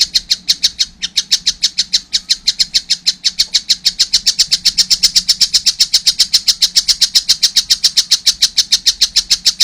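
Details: Juvenile collared kingfisher calling vigorously, a long sustained series of rapid, harsh, rasping notes without a pause.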